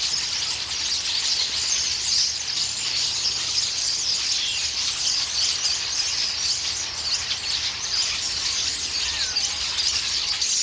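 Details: A large flock of common starlings looting a pear tree, with loud squabbling as they peck the fruit several times a day; constant high-pitched chattering, squeals and twitters blending into a continuous din.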